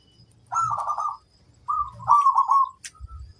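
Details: Wild female zebra dove calling, a mellow trilled coo with two phrases, the second longer and ending in a drawn-out note, with low rumbling noise underneath.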